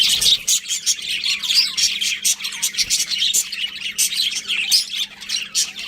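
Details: Budgerigars chirping: a dense, continuous chatter of high, quick twittering notes and short squeaks from several birds at once, with a faint low hum underneath.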